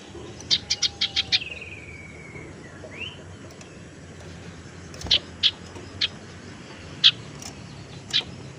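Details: Tailorbird lure for attracting birds and prompting reluctant singers: a fast burst of five high ticks, then a long descending whistled slur and a short upslur, followed by widely spaced single sharp chips.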